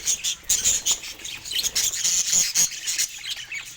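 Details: Happy pet budgerigar sounds: sharp, very high chirps and squeaky notes in quick pulses, roughly several per second, separated by brief pauses.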